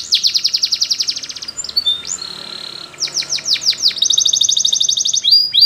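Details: Belgian canary singing a loud, high song: a fast trill of rapid pulses, then clear whistled notes and a string of repeated sharply descending sweeps, closing with another rapid trill.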